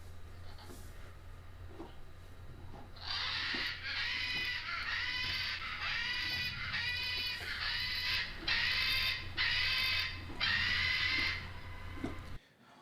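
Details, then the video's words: Captive macaws at an animal sanctuary scream: a run of about eight harsh, loud, raspy screams, roughly one per second, over a low background hum; macaw screams can reach 130 decibels. "We have a clip of our macaws from Alveus Sanctuary screaming, just so you guys have a reference for what it sounds like."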